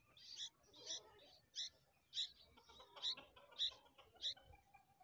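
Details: Bulbul babies, very hungry, calling for food: short, sharp, high-pitched raspy chirps spaced roughly every half second over quiet background hiss.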